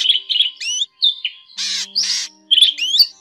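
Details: Net-trapping lure of drongo calls. It has short squeaky chirps, sharp upward-curving whistles and two broad hissing, rasping bursts, all high and clipped, separated by brief silences.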